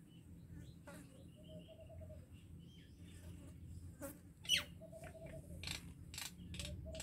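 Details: Common myna (Acridotheres tristis) giving a varied run of harsh chirps, clicks and short whistles, sometimes in quick bursts, over a steady low rumble of background noise.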